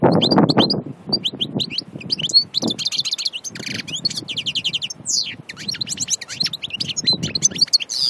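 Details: European goldfinch from nature at Aïn Barbar, Annaba: dense, fast, tinkling twitters and trills with buzzy rising notes, nearly continuous through the clip, with some low background noise at the start.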